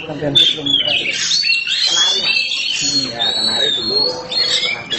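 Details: Oriental magpie-robin of the kacer hitam form singing gacor: a sharp opening note, then level clear whistles and fast twittering phrases, with a man's voice talking throughout.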